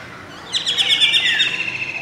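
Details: Golden oriole recorded from a window at Masab Tank, Hyderabad, with an adult male singing near a juvenile and two females; a burst of clear, fluty whistled notes slides down into a long sustained tone.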